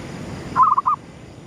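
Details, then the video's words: One compact phrase from a gedong mengo zebra dove singing at sunrise as a lure bird, a rolling trill of soft coos that breaks into two or three distinct hooted notes. "suara pikat perkutut gedong mengo,manggungnya pas menyongsong mentari terbit"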